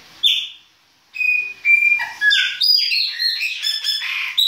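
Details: Chopi blackbird of the baianinho type singing its winter song: a loud whistled opening note, a pause, then steady clear whistles followed by a rapid run of varied, metallic, rising and falling notes with short chirps.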